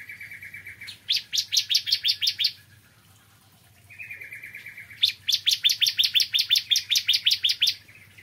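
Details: A bar-winged prinia sings in the morning, each phrase opening with a level buzzy note that breaks into a fast run of bright, sharply repeated notes; the second run is longer, about two and a half seconds.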